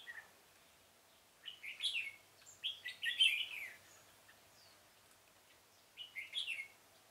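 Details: In a pomelo garden on 25 October 2017, a red-whiskered bulbul used as a trapping decoy gives two bubbly, whistled song phrases a few seconds apart, then a third shorter phrase after a quiet gap.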